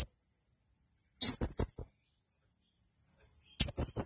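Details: High, thin chirps from a male blue-crowned hanging parrot in a training recording: a tight burst of four shrill notes, a pause of nearly two seconds, then another similar quick burst.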